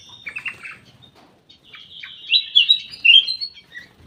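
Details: A ruby-throated bulbul in a private aviary gives scratchy chirps, then a rising, sweet whistled phrase with several loud slurred notes, trailing into quieter calls.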